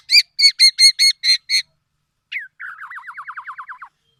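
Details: Black-naped oriole: seven short, harsh, evenly spaced notes, then a brief slurred note and a fast, wavering trill that falls slightly. No other sounds.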